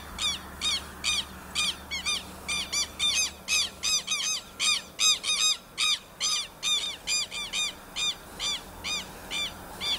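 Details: Southern lapwing (quero-quero) calling outdoors in a rapid, insistent run of strident, nasal notes, roughly two or three per second over ten seconds, with a low steady hum underneath.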